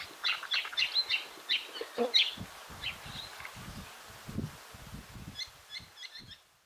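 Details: White-browed woodswallows, several overlapping, in busy chatter of short harsh chirps and bright notes with low thumps and rustling, while hovering and dropping onto emerging winged ants or termites in dense grass, Pengilly Scrub, South Australia, 13 November 2021, midday.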